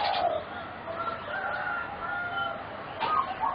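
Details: Young competition-bred singing zebra doves, one of four birds about 3.5 to 4 months old, give soft overlapping cooing notes: a brief burbling phrase, then level whistled tones near the end, with a low background hiss.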